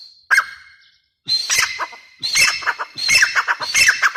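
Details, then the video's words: Grey francolin giving harsh, grating call phrases that start after a brief squeak and a short silence, then repeat closely, each a ringing squawk of rapid notes. "teetar sound | teetar awaz | dhakni tetar awaz"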